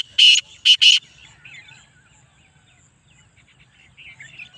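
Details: Black francolin, Speeder chakri-wala type, giving three loud, grating, broad-toned notes in under a second, followed by quiet chirps of small birds in the background.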